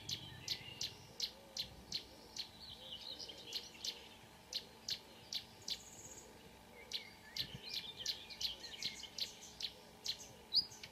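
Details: Marsh warbler at 05.00 in June near Ski, Norway, two singers present; crisp ticking notes repeated in quick runs, broken by a softer warbled passage and a short high whistle.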